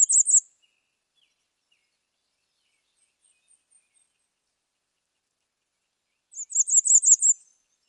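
Bay-breasted warbler giving very high, thin, rapid notes in short bursts, one brief phrase and then a longer run of about six notes, against a quiet background.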